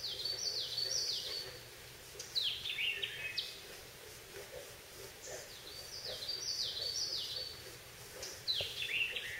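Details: On 20 June 2014 in a holler, a Common Yellowthroat sings high, rolling, repeated phrases, each about a second long and coming every two to three seconds, with bullfrogs and other birds around and a steady background hiss.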